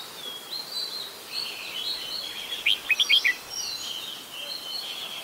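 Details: Red-whiskered bulbul, adult, Ubon Ratchathani, Thailand, 16 December 2020: a tight series of about five sharp, bright chirps in the middle, surrounded by a steady hum of distant birdsong.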